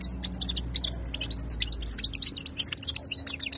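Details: Khalawi (wild-type) European goldfinch in 2022 pouring out an unbroken, tumbling twitter of high chirps and quick trills for the whole stretch.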